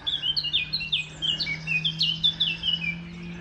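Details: Eurasian blackcap male in song, late March: quick, fluty warbling phrases mixing sharp chips and liquid whistles, delivered in two bursts separated by a short pause, over a steady low humming drone.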